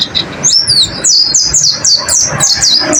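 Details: High, sweet twittering from a white-eye (pleci) in a training recording for caged birds: looping downward-slurred whistles repeated about three times a second, bright and lively throughout.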